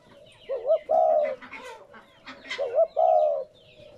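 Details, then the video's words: Spotted dove cooing, meant to spur captive doves to coo: twice a quick rising, wavering note followed by a long low, gently falling coo, with soft chirps from other birds in the background. "Tiếng Chim cu gáy kích bổi mới"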